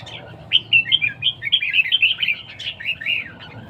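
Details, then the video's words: Red-whiskered bulbul singing in competition, a fast run of bright warbled whistled notes, many short phrases packed closely over almost four seconds, clear and dominant against a low hum. "chào mào đấu siêng ché"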